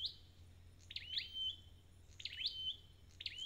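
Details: High whistled phrases from a red-headed bird being restored to form, each a quick rising slur into a flat clear tone, three phrases over a faint low hum.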